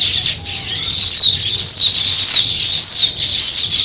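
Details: High, rapid chirping from sparrows starting a nest, overlapping bright twitters and short rising and falling notes forming a constant dense chatter.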